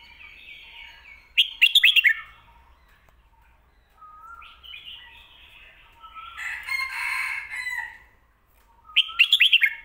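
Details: A red-whiskered bulbul's 'pad kuay tiew' or 'mae bot' style song: crisp bursts of five or six rapid whistles at the start and end, with mellow warbles and a loud, rough, scratchy chatter in between.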